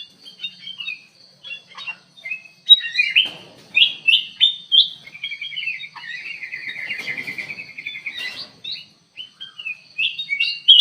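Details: Lively, persistent song from a ruby-throated bulbul kept in an aviary, with short whistled notes giving way to a long rapid warbling trill near the middle, then more quick chirpy phrases.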